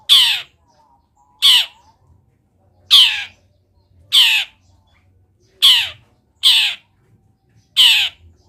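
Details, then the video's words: Long-tailed shrike in lively, energetic voice, singing a mimicry-filled song of wild-bird phrases used as a training recording: harsh, rasping squawks, seven bursts at irregular intervals of about one second, with silence between them. "CENDET GACOR ISIAN MELIMPAH - MASTERAN CENDET GACOR FULL ISIAN BURUNG LIAR"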